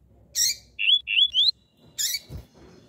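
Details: Female lined seedeater calling, used to stimulate males: three quick, high, rising whistled notes bracketed by two short harsh, buzzy bursts.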